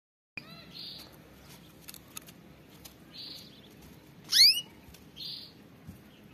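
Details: Canary song used for training canaries to sing: short, faint high trilled phrases, then one loud bright sweeping note near the middle followed by another soft trill, over a quiet indoor hiss.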